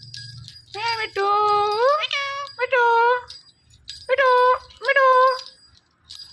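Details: An Indian ringneck parrot calls out "Mithu" in clear, voice-like phrases: a long rising utterance, then short paired syllables repeated after pauses, with quiet background.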